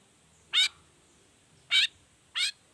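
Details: Long-tailed shrike, lure recording in the 'gacor toet toet' style made to coax other shrikes into song. Three harsh, scratchy high notes, spaced about one and two-thirds of a second apart, over faint hiss.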